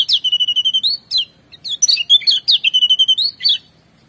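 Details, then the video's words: Varied song of a Lemon-bellied white-eye from Lombok, full of copied notes: a fast even series of clear whistled notes, a pause, then mixed chirps and another rapid run of whistles ending in a slurred note. "Jos full variasi isian paling merdu"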